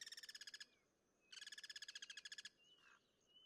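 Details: Wild Guira cuckoo cross-singing: two short bursts of quick, harsh, buzzy pulsed notes, the first under a second, the second about a second long, followed by faint whistled sounds from other birds.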